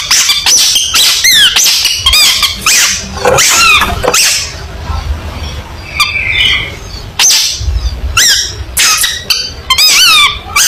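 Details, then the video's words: Long-tailed shrike singing in competition style as training material for songbirds: bursts of fast chattering notes mixed with bright rising and falling whistled slurs and short harsh buzzes, separated by brief pauses, with some low background rumble. "Burung Cendet Gacor Full Tembakan Mewah"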